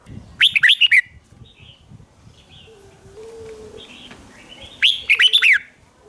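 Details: Red-whiskered bulbul lure song used to call in wild birds: two quick bursts of bright, bouncing whistled notes about four seconds apart, with a faint low tone and quiet chirps between.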